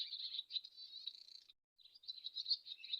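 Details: Swallow giving a fast, scratchy twittering warble of high chirps and buzzy trills, broken by a short pause midway before the chatter resumes.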